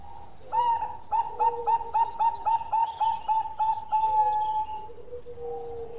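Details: Bangkok-type zebra dove in full long song. Rapid staccato coos come roughly three to four per second and are steady in pitch, then give way to longer drawn-out cooing notes that trail off, over a faint low rumble.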